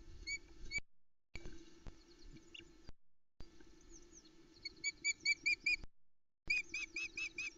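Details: Osprey chicks on a nest at Loch Arkaig on a misty early morning, 28 June 2020, squeaking excitedly as feeding on a delivered trout begins; bursts of high, repeated squeaky notes, several per second, over a steady low hum.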